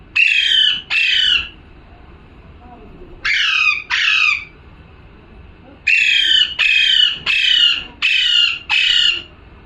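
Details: Harsh parrot squawks come in bursts: a close pair, a second pair after a pause, then a run of five rapid screeching calls, each short, rough and shrill.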